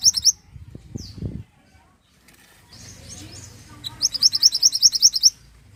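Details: Pied bushchat singing for a songbird training recording: brief high notes and a low thump early, a quiet gap, then a brisk string of about eleven piercing rising whistled notes near the end.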